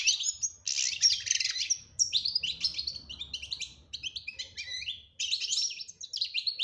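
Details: European goldfinch singing betbta-style song with tasfia: dense, bright twitters, buzzy trills and high whistles with few pauses, over a soft low background rumble.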